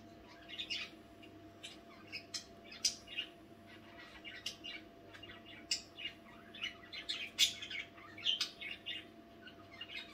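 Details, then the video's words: Nocturnal budgerigar chatter: irregular clicks, squeaks and warbled chirps, louder peaks now and then, a mix of busy twittering and short pauses, with a steady low hum behind. "nächtliche Besprechung"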